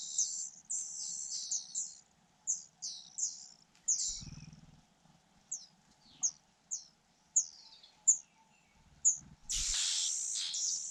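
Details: Fujian niltava young beg as their mother feeds them: clusters of high, downslurred chirps at first, then spaced single high notes, broken by low rustles and a loud scuffle near the end.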